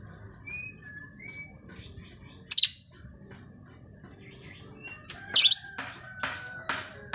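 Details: Female lovebird calling actively: two loud, harsh, very high chirp bursts about three seconds apart, with softer thin whistled notes and faint chirps between them over a low background hum.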